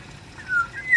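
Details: A Black-naped oriole in an aviary gives a brief, clear fluted whistle that dips slightly, then lifts and ends on a brighter note, over a faint low rumble.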